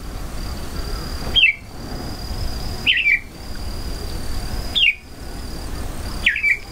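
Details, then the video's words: Red-whiskered bulbul in its natural habitat giving short, bright, bubbling phrases that drop in pitch, about four spaced across several seconds, over a low background rumble and a faint steady high hum. "Red-Whiskered Bulbul"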